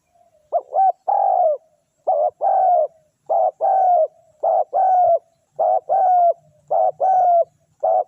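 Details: Spotted Dove used as a lure to draw in wild birds, cooing soft, low, hollow phrases of a short note then a longer rolling coo, repeated about every second, with little else heard.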